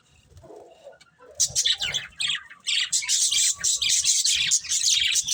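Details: Breeding pair of pet budgerigars chirping: after a quiet start with a low murmur, dense scratchy high chatter and squawks begin and continue almost without pause.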